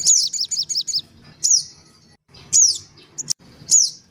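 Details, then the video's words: Black-winged cuckooshrike calls from a lure recording of noisy adults and young: a quick burst of five high, down-slurred whistles, then single sharp descending whistled notes spaced about a second apart, with brief pauses between. "suara pikat sogon ribut. dan anak sogon"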